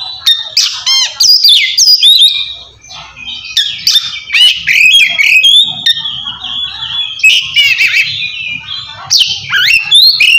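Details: Oriental magpie-robin ngeplong style, loud full song used to call a rival and provoke quiet birds into singing; varied whistled and harsh phrases around 2–8k, rapid rising and falling notes, squawky buzzes, continuous with brief pauses.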